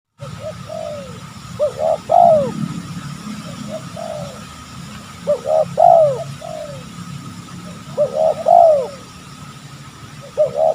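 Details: Wild spotted doves in an oil palm plantation behind a house respond fiercely to a trapping lure. Groups of short, hollow coos rise and fall, each phrase with a quick stutter then a longer drawn note, over a low steady rumble.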